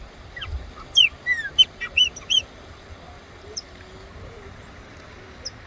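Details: A wild Chopi blackbird at the headwaters of Cachoeira Castro Dantas, São Roque de Minas, Brazil, gives a quick burst of loud, clear whistles, some slurring up and some down, over about a second and a half; a few faint notes follow.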